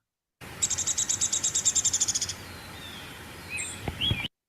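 Downy Woodpecker whinny: a quick, high trill of about seventeen sharp notes over under two seconds, sliding down slightly. A few faint chirps from another bird follow.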